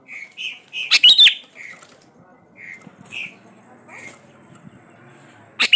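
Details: Sooty-headed bulbul used as a lure to set silent bulbuls singing: short soft whistled notes repeated in a loose series, broken by a loud harsh double-pulsed chatter, with another harsh burst at the close.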